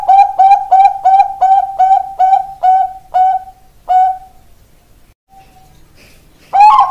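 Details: Zebra dove of the Bangkok type, a ringed bird, pours out about ten fast, slightly upswept cooing notes that slow and fade, falls silent for over two seconds, then starts again.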